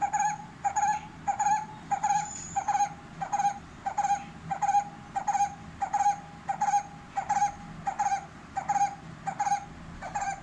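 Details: A brown-headed barbet calling loudly outside a window: a loud, throaty, mid-pitched call, repeated steadily about one and a half times a second.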